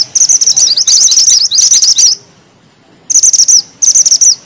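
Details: Mountain bushchat (mantenan gunung) delivering loud, dense rolling phrases of rapid high twittering notes, three bursts, then a pause and two shorter rattling bursts.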